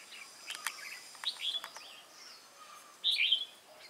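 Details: Wild-caught red-whiskered bulbul recorded on 22 October 2018: short, bright whistled notes and quick slurred chirps in two bursts, the second louder and more warbling, with a faint whistle between.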